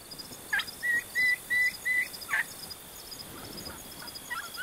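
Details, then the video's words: Wild turkey hen gobbling in Oklahoma, caught on camera during a deer hunt: a fast, regular run of about six rattling notes lasting under two seconds, followed by quieter background sounds. "Gobbling Hen"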